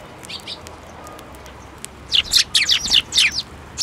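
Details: At a Tenmangu shrine on 7 May 2024, sparrows flying onto an outstretched hand for food. A few faint chirps give way to a dense run of loud, scratchy chirps repeated several times a second.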